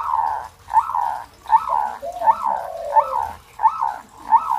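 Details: Local zebra dove song played to coax other zebra doves into singing; a short warbling coo phrase repeats about every three-quarters of a second, each phrase opening with a bright accented note, over a faint background hum.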